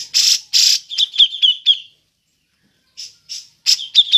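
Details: Grey-cheeked bulbul giving its ngepik call, suited as a lure for other birds: two harsh broadband bursts, then a run of short sharp repeated 'pik' notes, a pause, and a few more bursts and piks.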